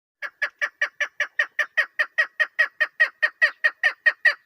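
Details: Female chukar partridge calling in a hunting context: a steady series of clipped, harsh chuck notes, about two and a half per second, evenly spaced and growing slightly louder, with no other sounds.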